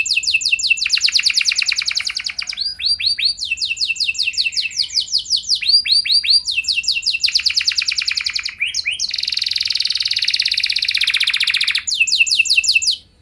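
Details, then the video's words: Canary singing long and steadily to draw responses from other canaries. Continuous high trills of fast repeated notes change speed and pitch, with a brief rising note and a dense, buzzy rolled passage near the end. "Burung Kenari gacor Nembak mantap! Buat Kenar Lain Bakal Langsung Respon Ikut Gacor Panjang"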